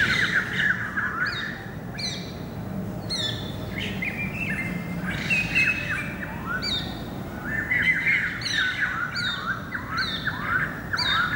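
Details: Singing greater racket-tailed drongo, 7 February 2018: a lively jumble of squawky, metallic and whistled phrases, some sweeping down and some rising, delivered in quick bursts over a soft rural background hum.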